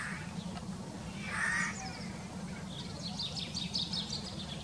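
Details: Eurasian jay giving one harsh, rasping screech about a second and a half in; faint high chirps from other birds follow, over a steady low rumble of background noise.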